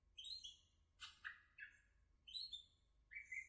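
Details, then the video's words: Greater green leafbird singing soft, varied phrases of high whistles and harsher buzzy notes, spaced with short gaps, faint low background hum. "Burung cucak ijo gacorr full tembakan"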